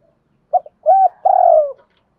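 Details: A lure spotted dove from Đồng Nai gives one low cooing phrase: a brief soft note, then a rounded hoot, then a longer, slightly vibrating coo that slides gently downward.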